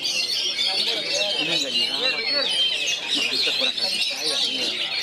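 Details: Oriental magpie-robin in captivity, singing among three nearby magpie-robins in a lively performance style. Rapid, unbroken medley of sharp whistles and scratchy chatter, with softer lower sounds, possibly voices, underneath.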